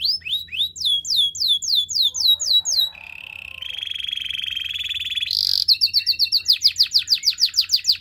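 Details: Canary singing a training song: quick descending whistled notes, then a flat buzzy trill, a short loud burst, and a fast series of repeated sharp chirps.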